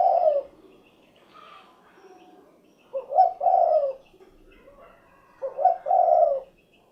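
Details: Repeated coo phrases of a spotted dove, three low throaty calls roughly 2.5 seconds apart, each a quick choppy intro running into a long, slightly falling purr, over a quiet background.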